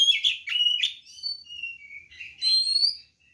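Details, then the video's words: White-rumped shama singing its provoking fight song: quick chattering notes up front, then drawn-out clear whistles and a rising sweet whistle, fading into quiet. "SUARA BURUNG kacer gacor NGEPLONG TARUNG ini paling AMPUH buat PANCINGAN kacer NYAUT EMOSI"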